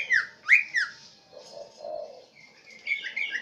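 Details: Central Aceh green leafbird with swiftlet mimicry in its song: two loud upward-swept chirps, a softer pause, then a faint series of thin whistled notes.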